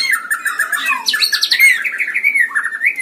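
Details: Continuous warbling from a caged White-rumped shama in lively song, a rapid chattering stream of rippling notes with a brief higher buzzy burst midway and a bright whistle near the end.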